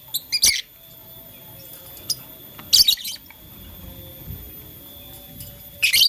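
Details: Blue, lutino and green lovebirds chirping as they play with a flower in the morning; three separated bursts of loud, rapid, high chirps about two and a half seconds apart, near-silence in between.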